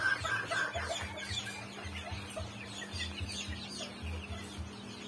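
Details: A white bantam chicken gives soft, low clucks in a loose run, about three or four a second, with a few thin chirps early on and a steady background hum.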